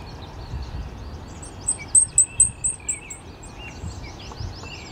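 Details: A Blackpoll warbler on the morning of May 29, 2014 at Boreal Island, AE Wilson Park, Regina, Saskatchewan, gives a very high, thin series of about seven evenly spaced tsi notes over low rumbling background noise and faint chirps from other birds.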